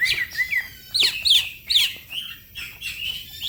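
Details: Green leafbird (cucak ijo), brisk song for training other birds; a few loud, sharp whistled notes spaced about every third of a second, then softer rising slurs.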